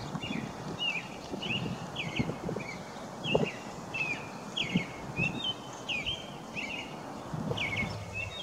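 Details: An American robin sings in a Wisconsin backyard: a steady run of short, clear, whistled phrases, one or two a second, over a low rumble of traffic and outdoor noise.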